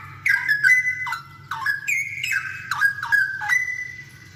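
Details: Straw-headed bulbul in full, lively song, used as a tutor recording for other straw-headed bulbuls to copy: loud, rich whistled phrases with quick swooping dips and rises, bursts separated by short pauses, over a steady low hum.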